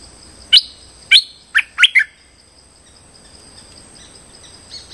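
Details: Streak-eared bulbul giving a trapping lure call: five sharp, downward-sweeping chirps, the first two spaced apart, the last three in a quick cluster, then quiet with faint background twitters.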